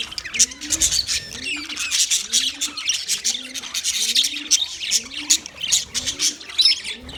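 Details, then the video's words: White male budgies giving a mating chirp chorus: constant squeaky, scratchy warbling in high overlapping notes, with a quiet low cooing stroke recurring roughly twice a second. "White Males Budgies Chirping sound Parrots mating sound"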